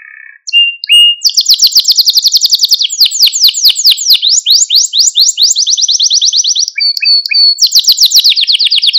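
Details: Male Maltese canary singing nonstop to excite other canaries and instruct young birds: continuous rapid high trills that shift pitch from tour to tour without pause, with a few short whistled notes near the end.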